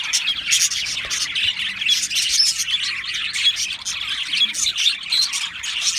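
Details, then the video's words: Several Australian parrots chirping at once, giving loud, tightly packed scratchy chirps and squeaks in an unbroken jumble. "Beautiful Australian Parrots Chirping sounds"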